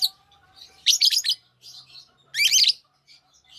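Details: Two loud bursts of rapid, harsh, high chirping from lovebirds, each about half a second of quick stuttering notes, with soft twitters between and a faint low hum beneath.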